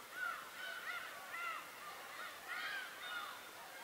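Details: Bird voices on Tobishima: several loud, arching harmonic calls in quick succession, each briefly rising then falling in pitch, in two clusters with a short lull between.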